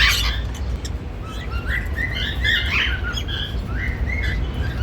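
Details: A happy male and female normal grey cockatiel pair, giving a series of short, slightly rising whistled chirps, some in quick pairs, with soft warbling in between, over a low steady hum.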